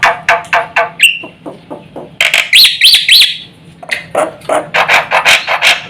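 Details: Black-winged myna, recorded to provoke other mynas into calling: rhythmic harsh chattering notes around a short whistle, then a bouncing series of high looping whistles, followed by more scratchy repeated notes.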